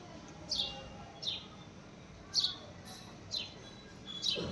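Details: A house sparrow chirps six times, short piercing notes that slide downward, spaced irregularly roughly a second apart, with quiet background noise.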